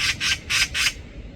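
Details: A Eurasian magpie protecting a fledgling on the ground calls loudly in the morning at a cat, signalling a predator: four harsh, rasping chak notes in quick succession, about one every quarter second.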